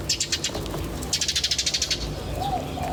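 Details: Birds chirping in nature: rapid high trills of evenly repeated notes, one short burst then a longer run of about a dozen pulses, followed by a soft arched whistle, over a low hum.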